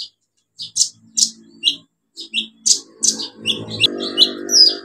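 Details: Olive-backed sunbird song meant to spur non-singing birds: sharp high chirps and squeaky notes in quick succession over a low humming background that grows louder toward the end.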